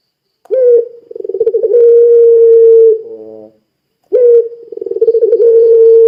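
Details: Barbary dove, puter pelung type, calling to make other doves call too. Two phrases about three seconds apart, each a sharp rising note, a rattling pulsed trill and a long, even coo, the first ending in a rough, buzzy harmonic tail.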